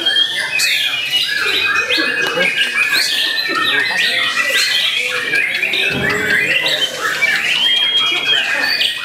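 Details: Contest-arena song from a young white-rumped shama aged eight to nine months: continuous, varied phrases of clear whistles, buzzy chatter and squawky notes, with a long level whistle near the end and busy background sound.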